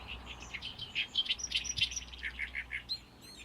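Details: Great reed warbler singing in May in a reed colony on the shore of Lake Biwa, small but loud and full of power; harsh, chattering notes repeated in quick rapid bursts, with a few higher squeaky notes near the end.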